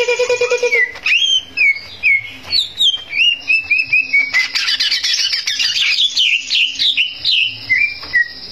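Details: Greater green leafbird singing fervently to provoke rival birds: a low buzzy note, then clear down-slurred whistles in series, swelling into dense, rapid high chatter before ending on two slurred whistles.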